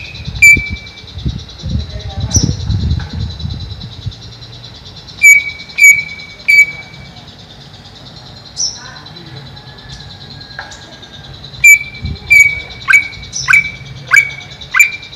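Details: Caged greater green leafbird kept above a pond gives loud, sharp whistled notes, some held flat and others dropping, in scattered bursts with gaps; low rumbling and faint voices underneath early on.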